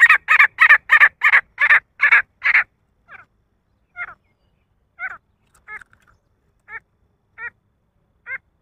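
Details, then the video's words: Male grey francolin calling in a fast string of loud, harsh repeated notes that slows and fades into sparse, thinner notes spaced about a second apart. "nar teetar ki awaaz titar ki awaaj partridge sound"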